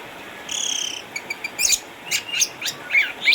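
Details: Orange-headed thrush, an eight-year-old caged former champion bird from Sukabumi, retired from competition because of cataracts but still singing eagerly. A steady buzzy, insect-like note opens, followed by short spaced chirps and sharp rising whistles.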